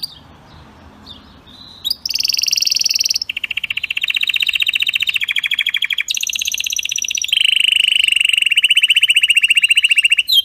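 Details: Canary giving a strong, error-free tutoring song for young canaries: after a quiet start, loud high rolling trills, each a fast run of repeated notes, switching between several pitched tours, some buzzy, others clear.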